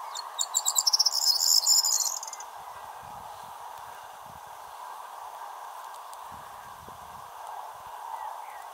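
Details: Corn bunting singing in a hedge near Wrestlingworth, Bedfordshire, UK, May 16th 2020: one short jangling song, a quick run of high ticking notes speeding into a dry rattle, over a steady low rushing background.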